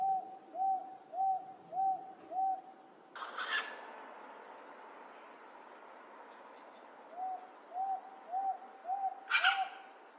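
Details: Close recording from Wentworth Falls, Blue Mountains, NSW, Australia, late July 2024. A Wonga pigeon repeats an even, low hoot about twice a second. A loud rustling burst interrupts the series, the hooting resumes, and another burst follows.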